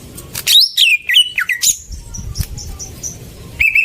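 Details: Greater green leafbird song used as a lure to get silent birds singing: loud high whistled phrases sweeping down then looping, sharp chip notes, a brief quiet gap, then a rapid trilled burst near the end.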